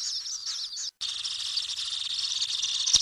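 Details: Common kingfisher recorded inside its nesting burrow: thin whistled, wavering notes for under a second, a brief gap, then a continuous high buzzy rasp that grows slightly louder toward the end, with a sharp click at the close.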